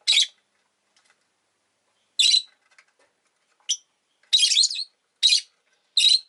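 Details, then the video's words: Two rosy-faced lovebirds bunched at an entrance chatter in harsh shrill chirps, including a longer scratchy run of notes, with a few soft clicks between calls. "コザクラ便り 112 入口で２羽固まって【Lovebird Chirping Sounds 、roseicollis、모란앵무、agapornis】"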